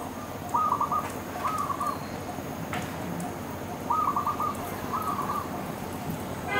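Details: Dove calling from a tree: two paired, slightly wavering mid-pitched coos, repeated after a pause of about two seconds, over steady background hum and a faint insect-like hiss.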